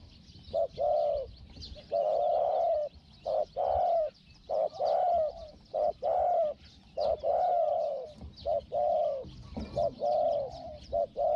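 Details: Spotted dove used as a decoy to lure wild doves, described as small-voiced, cooing steadily: soft hollow coos in short-then-long pairs, repeated roughly every second and a half, over a constant hiss of insects.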